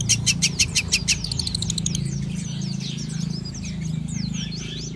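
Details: Long-tailed shrike in its morning sunbathing: a burst of loud, sharp, evenly spaced high notes fading into a fast ticking series, then faint, scattered, squeaky chirps over a steady low hum.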